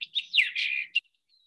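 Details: A Sage Thrasher sings a quick, high, burry warble of run-together phrases lasting about a second, ending in a sharp note; its song holds little mimicry. No other sounds.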